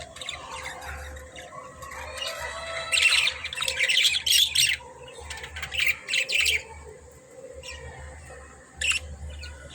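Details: Budgies chirping: after a quiet opening, dense bursts of harsh, buzzy, broadband chatter and scratchy warbles run from about three to six and a half seconds, with a last short squawk near the end over a low steady hum.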